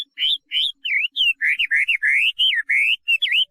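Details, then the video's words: Chinese hwamei song made of loud, rich whistled notes, each rising or twisting, given in a steady fast series of about a dozen phrases. "画眉鸟的声音 The Voice of a Thrush"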